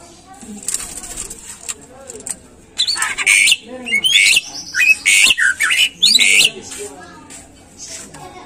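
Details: Greater green leafbird song used as a lure to get caged birds singing: after quiet background, a run of loud, sharp whistled and harsh phrases comes in short bursts for about four seconds, then fades back to low noise.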